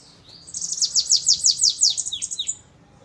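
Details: Bananaquit singing a Belgian-style running song with an unusual pitiu: a rapid series of about nine high, downward-slurred notes, then two lower falling notes.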